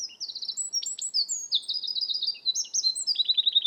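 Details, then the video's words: A Eurasian wren song from Estonia, heard as a nonstop stream of bright, high-pitched notes, quick trills and sharp chips, ending in a descending rapid rattle. "Eurasian wren"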